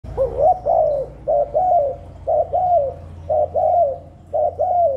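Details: Spotted dove cooing to lure wild doves and stimulate newly kept birds: mellow, low two-part coos, a short note then a longer falling one, given about once a second, five phrases over a steady low hum.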